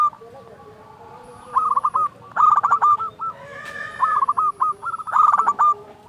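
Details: Strong-voiced local zebra dove sings repeated rippling coo trills in several phrases, with a softer lower cooing voice faintly underneath; used to stimulate quiet doves into singing.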